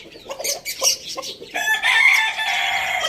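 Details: Roosters on a farm in a village, filmed while eating tomatoes; after a second and a half of scattered clucks and rustling, a loud harmonic crow starts and is held steady to the end.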